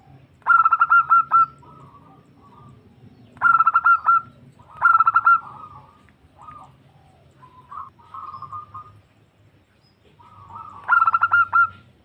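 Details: Female zebra dove's luring call to a male, given as four loud bursts of quick rolling coo notes ending in a sustained tone. Softer, lower cooing fills the gaps over a steady low rumble.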